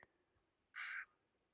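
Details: White-winged chough alarm call warning of a grown brown snake, nearly 1.5 m long, in a clearing near a water dish. A single harsh, rasping, buzzy note lasts about a third of a second, preceded by a faint click.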